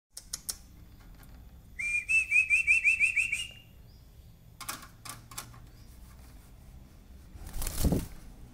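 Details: A greater green leafbird, during tail-spreading display, gives a quick run of about eight bright, rising whistled notes, amid scattered clicks, taps and a brief rustling noise.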